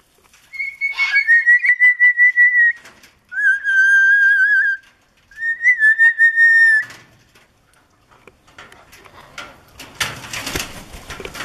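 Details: Pet Moluccan cockatoo kept alongside a sulphur-crested cockatoo: three long, clear whistles, the first warbling and then held steady, the next two flat and sustained, followed by rustling and scratchy noise.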